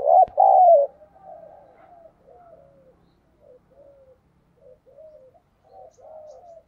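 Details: Spotted dove decoy bird in thúc gù style: one loud double coo at the start, then a run of soft, distant coos repeating roughly twice a second.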